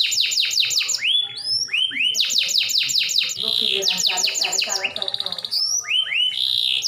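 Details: Canary song played to prompt other canaries to sing: loud fast series of descending whistled notes, buzzy trills and rolling phrases, shifting quickly between repeated syllable types.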